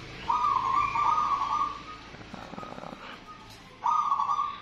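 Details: Local zebra dove (perkutut) coos indoors at a house in Borobudur, Magelang, in sustained, soft, mid-pitched phrases with a faint trill, pausing briefly before starting again, with low background hum.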